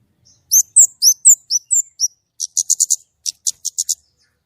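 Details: White-rumped shama in clear song: several high, swooping whistled notes, then a quick series of short, sharp clipped chips in two bursts.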